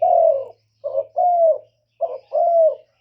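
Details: Lure call of a spotted dove meant to stir up wild doves: low, rounded coos, each phrase a brief note followed by a longer drawn-out falling coo, repeated twice after an opening coo, faint low hum.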